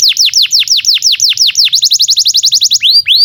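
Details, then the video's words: Canary in full, vigorous song, recorded as tutor material for young birds: rapid steep downslurred whistles, then a quicker, tighter trill of short notes, ending in two upswept notes. Faint low rumble beneath. "SUARA BURUNG Kenari GACOR PANJANG"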